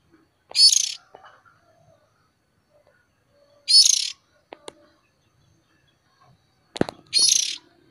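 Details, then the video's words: A young Oriental magpie-robin begging for food gives harsh, hissing high notes, one short burst about every three seconds. Faint clicks and knocks sound between the calls. "Suab me nyuam noog ntshiv txaij ntoo quaj Mp3 #Tiếng chòe than non kiêu mồi"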